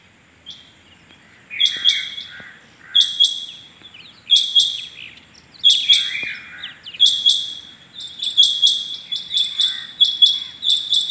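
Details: Rain quail calling on the morning of 6 July 2021: bursts of high, metallic, clipped notes in doubled and tripled runs, recurring roughly every one to two seconds, with softer lower warbling notes between them.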